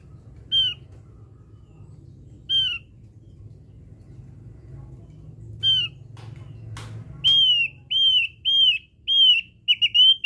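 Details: Javan grey-throated white-eye lure recording: single falling whistled notes spaced a few seconds apart, then a brief click and a quickening run of six or more whistles in the last three seconds, with low hum underneath.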